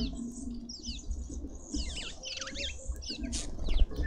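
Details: Red-winged starlings feasting at a garden feeder in suburban Pretoria, South Africa; a run of quick swooping whistled notes rising and falling in pitch, repeated several times over a soft background hum.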